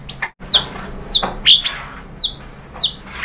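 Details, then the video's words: White-rumped shama song played as a lure to stimulate other birds to sing: a series of high, sharply down-slurred whistled notes, one about every two-thirds of a second, with short fainter notes in between. "KICAUAN MURAI BATU merangsang BUNYI jadi NYAUT GACOR NGEPLONG BONGKAR ISIAN ¦ PANCINGAN MURAI"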